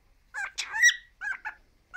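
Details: Male cockatiel, three years old, kept as a pet, produces a short burst of raspy, warbling syllables and one drawn-out squeaky note.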